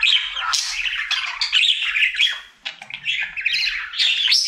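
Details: Male pet budgie in his daily singing session, pouring out a dense, nearly continuous chatter of buzzy squawks, clicks and high scratchy notes, with one brief dip near the middle.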